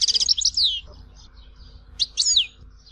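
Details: European goldfinch at Tizi Ouzou: a quick tinkling flourish ending in a downslurred note, then a pause and a second short twittered phrase.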